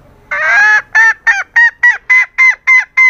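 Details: Female green junglefowl calling to lure males and stir their breeding urge. A long opening note leads into a brisk run of nasal, honking notes, about three per second, each rich in overtones. The background is quiet.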